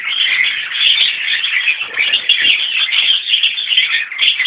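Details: A mixed colony of Fischer's (Agapornis fischeri) and rosy-faced (Agapornis roseicollis) lovebirds at fresh drinking water chatter in a dense, unbroken chorus of shrill, high squeaks and twitters, many birds calling over one another throughout.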